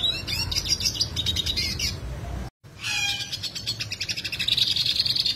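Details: Original recording of a singing yellow siskin in sharp rolling style: rapid, high, scratchy twittering with pulsed trills, cut by a brief silent break, then continuing in a steady buzzy roll over low hum.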